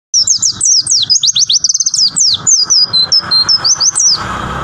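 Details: White-eye singing a 'tembakan' style song: a rapid, continuous run of high, sharp, downslurred whistled notes and quick trills, densely packed with hardly a pause, loud and close throughout.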